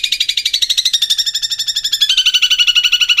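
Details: Long-tailed shrike chatter played to coax untrained birds into singing: a harsh, grating note repeated very fast, about four per second, steady and even throughout, with nothing else heard.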